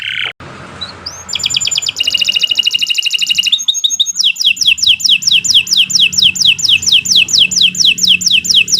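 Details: Canary singing as a master recording for training birds: after a brief noisy start, a dense buzzy trill builds into steady downward whistled sweeps repeated about twice a second, over faint low background rumble.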